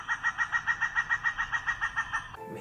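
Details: An endemic Sri Lanka grey hornbill on a tree by a stream at Kalugala Aranya forest monastery beside Sinharaja Forest, June full-moon day, gives a fast, even cackle of about thirteen nasal clucking notes, roughly six a second, then breaks off.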